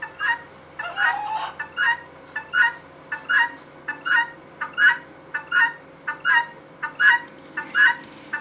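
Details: Female guineafowl calling: a steady series of harsh, two-part squawking notes, about eighty a minute, each note a quick rough double syllable repeated in an even rhythm, with a faint steady hum behind.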